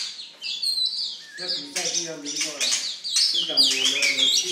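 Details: Oriental magpie-robin, described as a very fierce songster, singing a rapid, varied run of high whistled and chirped notes with sliding, warbling phrases, while a voice talks quietly underneath.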